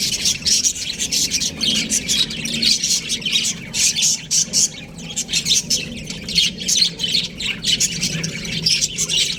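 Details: Baby budgerigars in an aviary chirping together: dense, harsh, scratchy chirps overlapping almost continuously in quick bursts, a busy flock chatter with no pauses.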